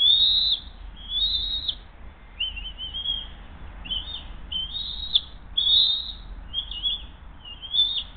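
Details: Bald eagles at Hays on 20 June 2023, 7:43 am, mother delivering the second fish of the day and feeding the young: a run of about eight high whistled notes, some wavering and slightly lower in pitch, spaced roughly a second apart.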